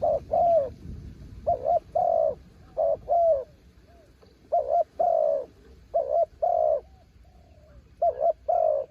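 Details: A decoy spotted dove calls in strong wind to lure wild doves. The mellow coos come in pairs, a short stuttered double hoot and then a long, even coo. The phrase repeats about five times with brief pauses.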